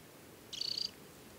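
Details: Adult Temminck's stint in summer plumage, wearing leg bands, at Tinnhølen lake on the Hardangervidda mountain plateau, Norway, in early July; a single short, dry, rapidly pulsed high trill over faint background hiss.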